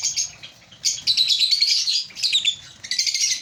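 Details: Breeding colony of African lovebirds, several birds chirping together in shrill bursts, a busy twittering run in the middle, then quick repeated chirps.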